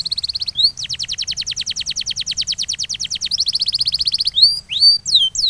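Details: Canary masteran training song: a long rhythmic trill of repeated notes, about six per second, then a faster roll and rising whistled sweeps at the close.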